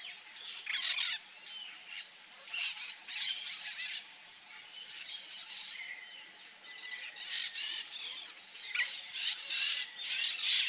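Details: Peach-fronted parakeet: scattered harsh, screechy bursts every second or two over a constant high insect whine.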